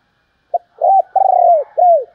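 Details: Spotted dove female calling to provoke males: one quick phrase of a clipped note, a looping coo, a long rolling coo sliding down, and a final arched coo.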